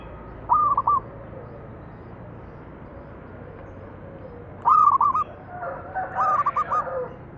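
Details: Lure recording of a zebra dove singing so that other doves answer: one bright stuttered coo, a long pause, then two more phrases in quick succession, the last blurred by softer background calling.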